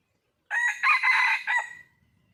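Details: Wild red junglefowl hen calling to find a male: a loud, harsh, crow-like call in three or four joined rasping bursts lasting about 1.3 seconds, rich and strongly layered, ending abruptly in silence.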